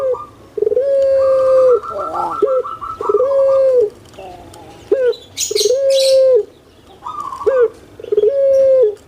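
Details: Caged puter pelung dove of large build, kept in Java, Indonesia, with a booming voice: low, flat coos repeated about every one and a half seconds, while thinner chirps and twitters from other birds sound above them.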